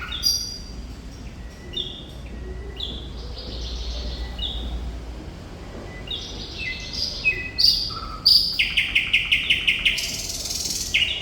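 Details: Thrush nightingale (Sikatan Londo) in full, active song: varied whistled phrases at different pitches, some slurred. These build into a fast rattling trill and then a rhythmic run of loud, sharp clicks repeated several times a second.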